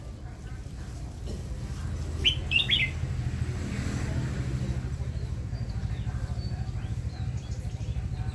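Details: Red-whiskered bulbul newly kept in a cage for its song delivers a brief, fast phrase of three to four liquid whistled notes, followed by a steady low mechanical throbbing.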